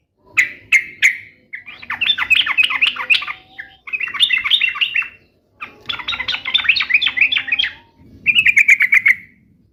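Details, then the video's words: Sooty-headed bulbul in full, vigorous song, used to prompt pet bulbuls to answer at once: bursts of fast, bubbly chattering notes, each lasting one to two seconds and separated by short pauses, ending on a clear whistled note. "SUARA KESUKAAN TRUCUK ❗ trucukan gacor SATU INI ahlinya JADIKAN burung trucuk gacor NYAUT SEKETIKA"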